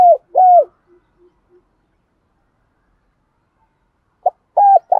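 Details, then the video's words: Spotted dove decoy call aimed at rival males: a pair of falling coos and faint soft notes, a long pause, then a short note and further coos starting again. "tiếng chim cu mồi gáy gọi/ cu gáy kích bổi"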